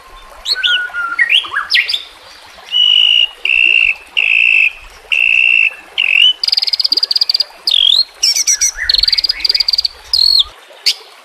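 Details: White-rumped shama song from a recording meant for training caged birds, with nature sounds and trickling water: loud varied whistled phrases, steady held tones around a pitch, then higher ringing notes and quick slurred sweeps, with faint background hiss.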